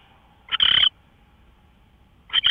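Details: Owl before dawn on 24 March 2013, 5:27 AM: one coarse, hissing screech lasting about a third of a second, followed after nearly two seconds of quiet by the start of another.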